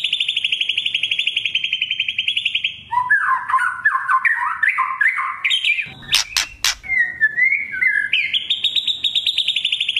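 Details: White-rumped shama kretekan crackling song, played as a lure for speckled young and adult birds: a long quick trill, then jumbled warbled whistles, three sharp snapping cracks, and a rising run of whistles into another rapid trill.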